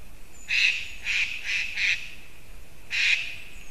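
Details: White-tailed eagle, 9 October 2019: a series of five sharp yelping notes, four in quick succession then a pause and one more, with a steady faint hiss behind.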